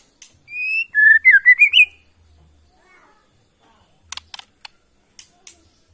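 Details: Borneo white-rumped shama from the Kalimantan forest gives long pure whistles followed by a quick rising and falling warbled phrase, then silence broken by a few dry clicks.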